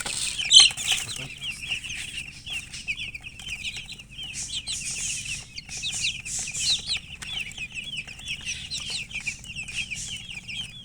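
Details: Several chickens chirping almost continuously, loud overlapping high peeps and short trills pouring out in uneven bursts, with scratchy rustling beneath and one sharp click near the start.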